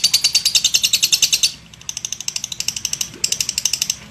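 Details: Short bursts of lovebird ngekek chatter: a rapid string of high chirps, a brief lull, then two more quick runs of the same sharp notes.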